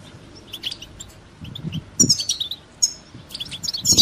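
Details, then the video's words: Goldfinch song used for songbird training: high chirps and bright twittered phrases over noticeable background hiss and a few low thumps. "goldfinch song training"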